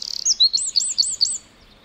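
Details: Wren singing in a forest: a quick string of high, looping whistled notes, about six in under a second and a half, then it falls silent. No other sounds stand out.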